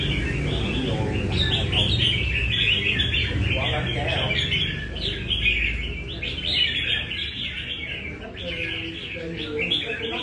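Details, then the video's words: Red-whiskered bulbul of Nam Đông origin, training in Da Nang, pours out 'cafe' style song: rapid chattering warbles in long runs with short breaks, a low drone and faint murmuring behind. "Cb Nam Đông Test nhẹ cafe-Chào mào cafe"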